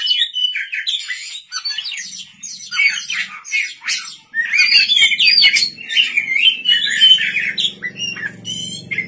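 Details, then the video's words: White-rumped shama at night pouring out a dense, varied song of chirps, trills and whistled notes that keeps going almost without a break, with a low hum underneath. "pancingan kacer gacor malam hari"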